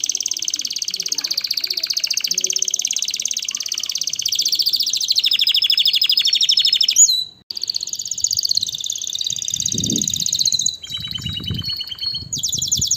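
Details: Canary song for encouraging mating and teaching young birds: dense, high, rolling trills that change tour several times, a brief break near seven seconds, and a few low thumps in the background.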